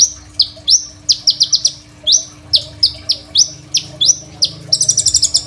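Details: Lively Crimson sunbird song captured by phone: high, thin, slurred chirps in quick groups of two to four, separated by short pauses, ending in a fast, buzzy, stuttering trill; serves as tutor song for other songbirds.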